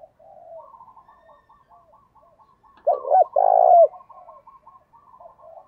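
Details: Spotted dove coos played as a lure to get caged doves to coo, two loud burred coos in the middle over a steady background of faint rapidly repeated chirping notes.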